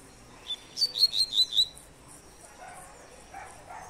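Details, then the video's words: A brief "tui tui" three-note song type from a Double-collared seedeater: six quick, thin, high whistled notes in a short burst, followed by faint distant background sounds. "tui tui 3 nota"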